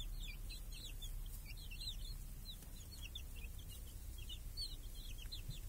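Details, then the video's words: Village hen and chicks feeding under a cage that guards them from crows and hawks, clear summer day; continuous chorus of shrill, falling chick peeps, several birds calling at once, with low background hum. "Chickens and hen in the village | Sounds with chicks on a clear summer day"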